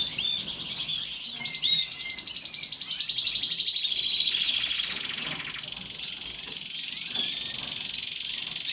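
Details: Canary in full song: a continuous stream of fast trills and rolls, brief whistled upslurs early on, settling into a steady buzzing rattle that runs to the end.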